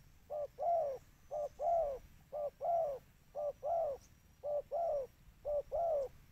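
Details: Spotted dove calling to lure birds: clean, regular pairs of low hollow coos, a short note then a longer downslurred one, repeated about once a second against a quiet background.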